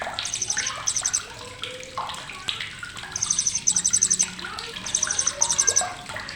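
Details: Blue-crowned hanging parrot, crisp chattering used to train songbirds: repeated short clusters of very high, quick ticking notes, sparse early then denser from three seconds onward, with softer mid-pitched chirps and a rushing background.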